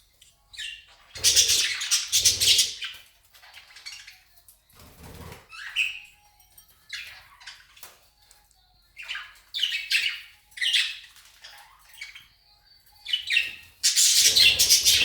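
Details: Budgerigars, recorded on 20 February 2019, give sharp chirps and scratchy squawks between bursts of fluttering wings.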